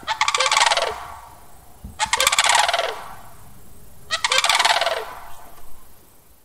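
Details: Sandhill crane giving three loud, rolling, rattled bugling calls. Each lasts about a second, and they come roughly two seconds apart, with faint background noise between them.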